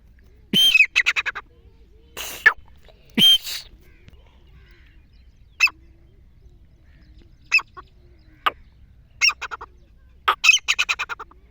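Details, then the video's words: Grey francolin hunting call: scattered loud harsh notes, with short rapid series near the start and end separated by quieter stretches holding isolated clicks and calls. "Gorry Tetar ke awaz # Shkar wali awaz"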